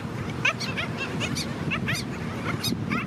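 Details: Black skimmers in a beach colony with chicks at St. Pete Beach, St. Petersburg, Florida; short nasal barking yips from several birds, rapid and overlapping, some higher and some lower, over a steady low rumble of surf and wind.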